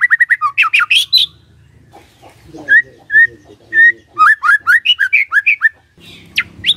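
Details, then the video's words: White-rumped shama song used as a lure to provoke a silent bird into answering: varied loud whistles, rapid repeated chips, clear rising and falling notes in fast bursts, with a faint low hum underneath. "PANCINGAN SANTAI & EFEKTIF❗❗ murai DIAM langsung respon NYAUT❗❗"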